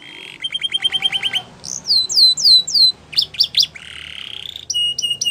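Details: Belgian canary singing a mixed sequence: rapid rattling trill, slow sweeping whistles, sharp clipped notes, a buzzy roll and a final hooked phrase, with faint background noise.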